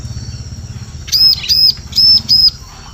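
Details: Four sharp high chirps in quick succession from a bar-winged prinia, over a humming low background; used as a lure sound in forest.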